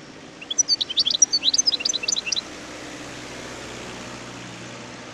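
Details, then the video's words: Wild European goldfinch delivering a single tumbling phrase of high, liquid chirps and twitters lasting about two seconds, followed by steady low background hiss. "اسمع صوت الحسون البري"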